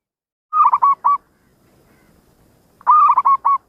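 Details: Local zebra dove in active song with a distinctive voice: two matching phrases about two seconds apart, each a rolling burst of three or four clipped, fluttering coos on a steady mid pitch.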